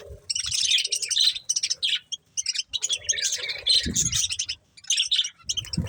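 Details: Budgies feeding on corn give bright, rapid chirps and chattering warbles in overlapping bursts, with low knocks and scraping from eating.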